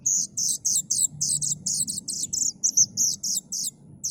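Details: Plaintive cuckoo chick calling rapidly: a quick string of high, harsh, hissing notes, around three or four each second, with little pause between them.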